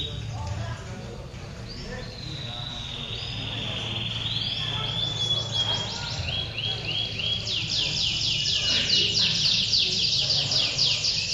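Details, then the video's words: Male domestic canaries at a song contest in Pondok Cabe Udik, Indonesia, on Sunday, 21 February 2016, singing continuously (ngedur): a long high whistled note gliding downward, then fast rolling trills of repeated sweeps, with crowd murmur beneath. "Adu Kenari Gacor Ngedur"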